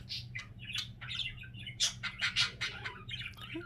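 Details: Indoor pet budgerigars chattering in a short stretch: bursts of scratchy chirps and buzzy squeaks at an uneven pace, some notes louder and harsher, over a constant low hum.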